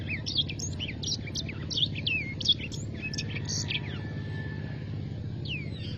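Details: Black-throated canary singing vigorously: a fast, dense run of high, sharp chirps and short trills with rapid upslurred and downslurred notes, then a thinner, sustained whistled note and a few scattered chirps, over a steady low hum.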